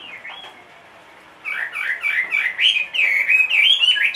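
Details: A caged Chinese hwamei, two and a half years old and large-bodied. A soft rising whistle is followed by a pause. Then comes a loud burst of quickly repeated, sweeping whistled notes, rising in strength to the end.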